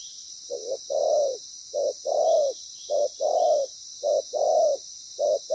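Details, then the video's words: Loud-voiced spotted dove decoy during trapping giving five paired coos, each a short low note then a long, rich coo, repeated about once a second, with a steady high hiss throughout. "Bổi lớn tiếng,chim bài bản"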